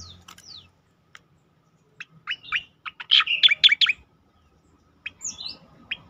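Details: Cicakoreng, or striated grassbird, giving its 'tembakan' style, meant as training material and to provoke other birds into song: scattered short notes building into a loud burst of rapid chirps and whistles, then a few more notes.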